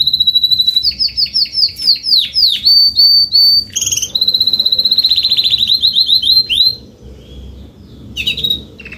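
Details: Adult Spanish Timbrado canary singing salsa style: fast, rattling rolls of downward-sliding notes, a sustained pure whistle, another quick roll, then a softer pause and a final short phrase.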